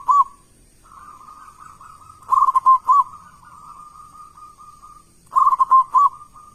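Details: Zebra dove of a local type used as a lure for other doves: bursts of four mellow, arched coos, separated by long, faint, wavering cooing tones.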